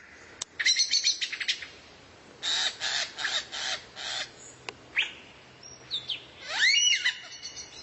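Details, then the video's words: Rare songbird used as a tutor recording for training magpie-robins (kacer): sharp ticking bursts, then a series of harsh chattering notes, a lone click, and a final burst of loud rising-and-falling whistled notes. "MASTERAN BURUNG LANGKA YANG BISA JADI SENJATA PAMUNGKAS BURUNG KACER"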